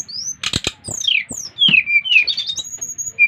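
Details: From Bali, a brown-chested jungle flycatcher sings hard to get others of its kind singing: long sliding whistles falling in pitch and high level notes, broken by loud sharp clicks.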